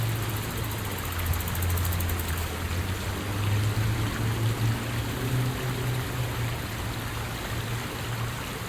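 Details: Rushing stream water with a low rumbling hum underneath, no animal calls.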